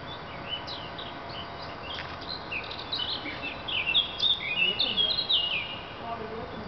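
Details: Thrush singing an inventive, composer-like song: varied whistled phrases with quick rising and falling notes, clear fluty slurs and short chirps, growing louder and denser toward the end, over faint background hiss.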